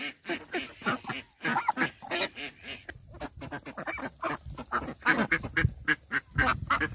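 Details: A flock of backyard Indian Runner ducks at a rural pond, uttering uneven, throaty quacks and honk-like calls, some drawn out, in a loose, busy chatter.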